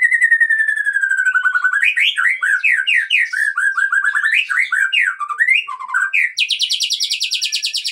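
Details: Loud, varied song from an Aceh white-rumped shama kept for breeding: a long falling whistle, then rapid bouncing slurred notes, finishing in a harsh, fast buzzing rattle.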